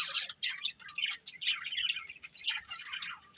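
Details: Budgerigars, a breeding pair, in steady warbling chatter: quick squeaky notes and buzzy trills tumble over one another in rapid, uneven bursts throughout.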